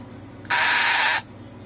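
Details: Grumpy pet cockatoo at bedtime on a Friday night gives a single loud, harsh, flat screech lasting under a second, with quiet room background before and after.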